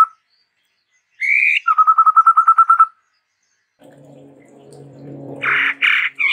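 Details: ['Song of a Chestnut-rumped babbler, called endemic to Sumatra, in lively varied form: a rising note then an even, fast trill of a dozen pulses, followed by a low hum and two loud rough bursts.']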